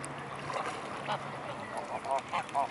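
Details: Mute swans gathered in a swarm at Blaues Wunder on 25 May 2016 at 15:27; short nasal, harmonic calls come in a quick cluster near the end, over a busy background of water and other bird noise.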